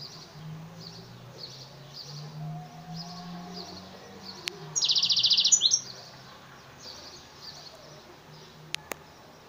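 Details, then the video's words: An F1 hybrid of African singer and yellow-fronted (Mozambique) canary sings soft, high chirps repeated in a steady series, then one loud, buzzy, rattling trill lasting about a second, over a low hum. "Hybride F1 chanteur d Afrique x serin Mozambique يخدم تغريد"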